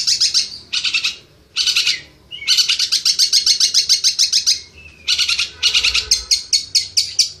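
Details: Champion competition long-tailed shrike, a national Piala Raja winner, sings in harsh, scratchy high bursts that break into fast runs of repeated chattering notes, with short pauses between phrases.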